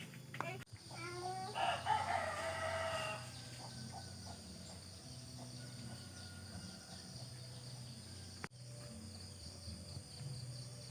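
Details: A rooster in the countryside in the morning gives one loud crow of about two seconds, a rising then drawn-out cock-a-doodle-doo, over a steady hum of crickets and distant birds.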